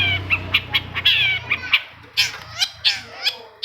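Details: Long-tailed shrike singing to prompt other shrikes to sing: a run of short sharp chirps and whistled notes around the same pitch, quicker harsh bursts in the second half, low hum underneath.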